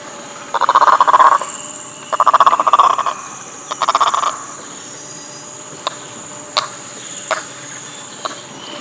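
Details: Great egret giving three harsh, rasping croaks in about four seconds, each roughly half a second long. Short clicking taps follow over quiet background hiss.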